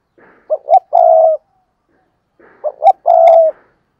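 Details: Spotted dove acting as a lure for wild doves. Two clean cooing phrases come about two seconds apart, each a pair of short rising notes followed by a drawn-out, even, hollow coo.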